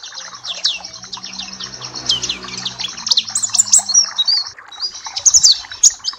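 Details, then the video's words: Energetic high twittering song of a Papua black-capped white-eye used as bird therapy and tutoring, fast chirps in long runs, a short pause near the end, and low humming underneath at first. "Masteran dan terapi pleci Papua black cappe !!!"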